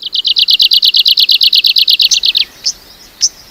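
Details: Arctic warbler singing a long fast trill of uniform buzzy notes for over two seconds, falling slightly at the end, followed by two sharp high single call notes.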